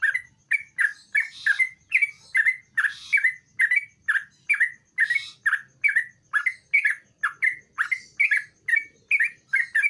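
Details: Sooty-headed bulbul singing actively, used as a lure to coax a quiet bulbul into singing: short chirpy notes with a slight downward bend, repeated about once a second in a steady run, with occasional higher rustling in between.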